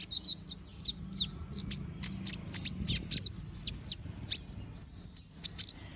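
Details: Brown-throated sunbird chattering song with sharp, shot-like bursts, used to train other birds: quick series of very high chips and short downward-sliding whistles repeated steadily, low background rumble.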